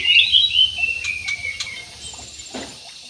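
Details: Aviary jumbo parakeets open with a loud burst of shrill, fast twittering chirps, then fade to a thin drawn-out whistle and a few soft clicks against a quieter background.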